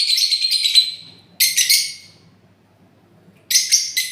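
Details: Parrot giving a drawn-out harsh screech, then a pause, then a doubled raspy squawk, and after a silence another doubled squawk.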